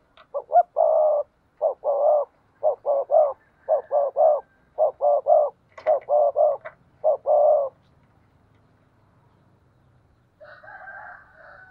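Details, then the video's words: Spotted dove decoy calling in the morning to lure wild doves: a fast run of about a dozen paired, rough coo notes over eight seconds, then silence and a faint buzzing wheeze near the end. "Tiếng Chim Cu Mồi gáy gọi buổi sáng bổi nghe nhạy gáy"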